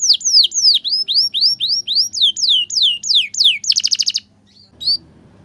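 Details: Canary tutor song for young canaries learning to sing: a fast run of loud, clear whistled notes that swoop down then up, about three per second, ending in a rapid buzzy trill, a pause, and a short chirp.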